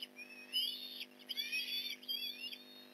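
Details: Osprey near its Port Lincoln nest during a morning fish delivery, 15 November 2019, 8:24am: a run of high, slurred whistled chirps, rising then falling, in quick irregular clusters.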